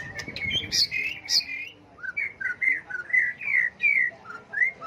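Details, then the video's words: White-rumped shama singing well in many voices, switching constantly, used to provoke birds into song contests; varied whistled phrases, some rising, some falling, in a run of about ten short notes after an opening burst with low clatter. "chòe lửa hót hay, nhiều giọng, đảo giọng liên tục, kích chim hót đấu"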